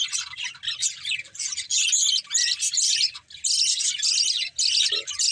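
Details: Budgerigars of a breeding pair giving bursts of harsh, buzzy warbling chatter, broken by short pauses about every second, with one brief low note near the end.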